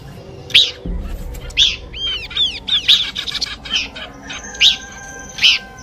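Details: Combination song of Horsfield's babbler used as a bird lure: loud high chirps separated by a run of rapid downward-arching whistled notes, with a thin sustained tone near the end.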